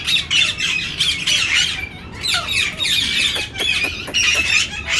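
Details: Grey parrot (Psittacus erithacus), call.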